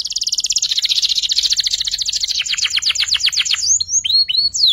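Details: Canary youngster learning to sing ngeriwik: a loud fast rattling trill slowing into separate notes, ending in quick downslurred whistles.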